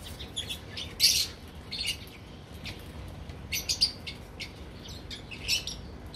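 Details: Several captive lovebirds in a breeding colony calling with brief, piercing chirps, one loud shriek near the start and irregular squeaks afterwards.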